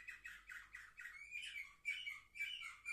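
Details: A seven-month-old Orpheus canary from a 2023 brood, filmed on 10 November 2023, sings a quick series of buzzy notes, about four per second, then moves into rolling trills and clear high whistles.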